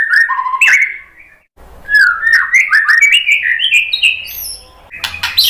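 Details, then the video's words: Song of a white-rumped shama, played to provoke a response: whistled notes, a short gap, then a rising run of quick chattering whistles ending in high bright notes. "SUARA MURAI BATU Untuk Memancing EMOSI JADI NYAUT GACOR"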